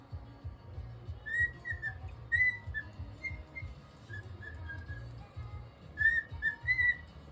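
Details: Cockatiel in a cheerful mood attempting the tune Funiculì, Funiculà, whistling bright notes in melodic groups with brief pauses between phrases, some notes bending downward, against a low background hum.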